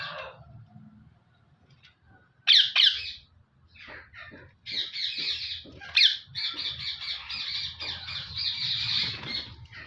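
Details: Harsh parrot squawks from an active caged male: a few scattered raspy notes, two loud sharp shrieks, then a long stretch of continuous gritty chatter.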